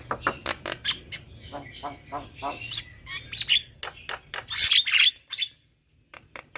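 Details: Male and female black-winged starling singing a duet: a dense run of sharp clicks and chattering notes, then bright whistled phrases near the end, with short broadband bursts between them.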